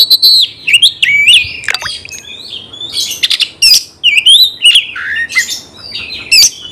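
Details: Oriental magpie-robin pouring out varied song intended to provoke fighting: slurred whistles, twisting warbled notes and sharp ticks, delivered rapidly in dense phrases.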